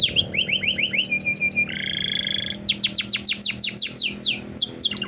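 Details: Canary singing a master song in the 'blak strut' style to trigger other birds: quick rising chips, a level whistled note, a harsh buzzy stretch, then a run of rapid falling sweeps.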